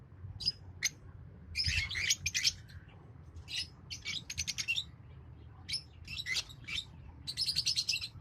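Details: Fischer's lovebirds, a green pair, singing in dense runs of rapid, shrill twittering chirps, broken by short pauses, then bursting again into fast chattering series.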